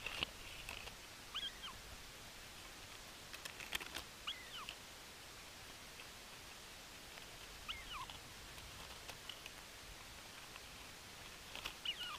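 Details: Bermuda petrel on Nonsuch Island, 13 April 2020, giving faint, high, squeaky swooping calls in short bursts every few seconds, over steady hiss with scattered clicks and taps.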